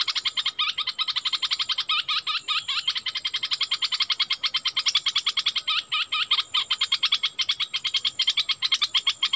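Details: Cream-vented Bulbul decoy calling to draw in a wild bird, 16 March 2021; loud harsh chattering notes rapidly repeated about six times a second for the whole stretch.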